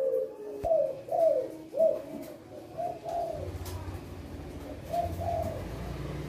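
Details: Captive male spotted dove with a big voice, kept as a training model for other doves; a series of hoarse, low repeated coos at about one per second, faint against a background hum and room noise.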